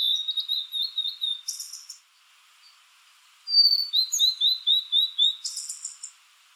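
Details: Blue-and-white flycatcher in Japan, a summer visitor singing from treetops or dead branches with a slow, beautiful voice; two phrases of rapid repeated sweet notes, each closing with a harsh buzzy burst, separated by a short pause.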